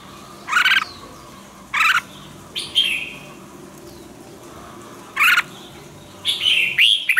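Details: Red-whiskered bulbul singing for song training, giving short loud chirped phrases spaced one to two seconds apart, some sweeping down, ending with a longer warbling run, against a low steady background hiss.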